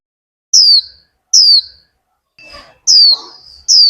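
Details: Sharp, high, falling whistled notes, four of them, repeated less than a second apart, come from a female warbling white-eye kept as a Vietnamese cage bird and calling to stimulate a male's líu song. One faint, scratchy chatter falls between them.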